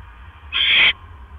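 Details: Around 1:09 AM on 12 October 2015, as the male barn owl delivers a mouse to the nest, one loud, broad hissing screech lasts about 0.4 seconds against a quiet background hum.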